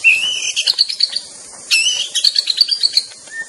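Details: White-rumped shama in the wild, singing rich phrases that open with a clear whistle and run into rapid rattling, chattering notes, repeated twice, with a soft falling whistle at the end and insect drone throughout.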